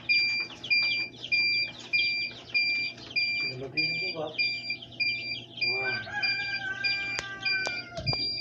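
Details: Newly hatched Rhode Island Red chicks giving many shrill, high peeps, short downslurred notes repeated rapidly in overlapping bursts, with a low voice-like sound and a drawn-out descending tone partway through.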